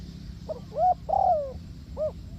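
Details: Spotted dove used for luring birds to a trap, giving uneven coos: a couple of short notes, a louder long coo sliding downward, then a final short coo, with low rumbling background.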